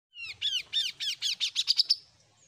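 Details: Oriental magpie-robin, an untrained bird just beginning to sing, from Indonesia: about ten harsh, buzzy notes, each sliding downward, repeated faster and faster and rising in pitch toward the end, then a faint high trailing tone.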